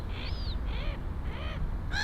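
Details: Black-headed gull in Finland, near its nest, warning off approaching swans with four harsh, nasal, harmonic calls in quick succession, the last loudest, over steady low wind rumble.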